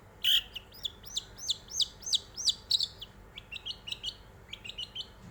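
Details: Long-tailed shrike song used as a lure to provoke other birds to sing: a run of sharp, high chirps rising then dipping, about three per second, then softer rising notes in quick groups.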